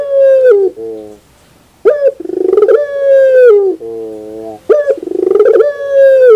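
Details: Puter pelung dove in the morning, delivering its song as a sharp opening note, a pulsing, rattled build-up and then a drawn-out, gently falling coo, with a lower coo between phrases.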